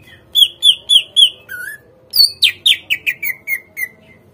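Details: Greater green leafbird song serving as a lure to make untrained captive leafbirds respond: four loud whistled notes, a lower drawn-out note, then a fast descending series of about ten slurred whistles.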